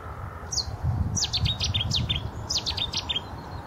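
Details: Cetti's warbler at Radipole Lake bursts into its loud, explosive song: a sharp opening note, then quick, ringing 'chetti-chetti' phrases, over a low rumble of wind.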